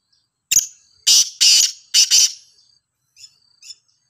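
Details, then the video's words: Call of a black francolin, Sindhi type, praised as a good caller: a short rasp, then three strong grating notes, the last two run close together, followed by two faint soft notes. "Kala Teetar ki Awaz"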